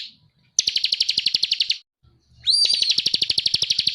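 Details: Actively singing bar-winged prinia in a training recording for cage birds: two bursts of rapid, rattling high chips, the second opening with a clear upslurred whistle, separated by a short silence.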